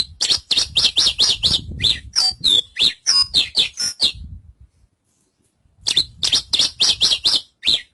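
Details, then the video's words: Javan bush lark delivering fast chattering song of buzzy chirps and slurred whistles for four seconds, a pause of over a second, then another rapid chirping run; faint low rumbling beneath the first part. "Suara Burung Branjangan"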